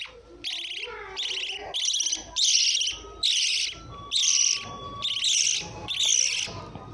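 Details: Harsh, grating lovebird screeches come in steady bursts of under a second. A thin steady whistle-like tone and soft twittering run underneath.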